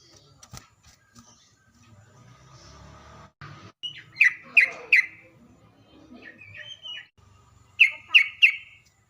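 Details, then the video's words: Sooty-headed bulbul singing as a lure to draw answering calls: two separate groups of three bright, clear whistled notes over a low background rumble and scattered faint noises. "pancingan trucuk agar bunyi"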